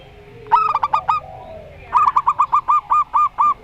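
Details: Zebra dove of the local Rondo Semoyo type: an opening quick bubbling phrase, a brief softer murmur, then a longer string of about nine crisp, evenly paced coo notes.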